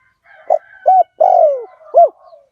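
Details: Spotted dove used as a decoy to lure wild doves, a fierce 'lio tan' strain: one phrase of a short clipped coo, a level coo, a long drawn-out falling coo and a final arched coo, over faint background murmurs.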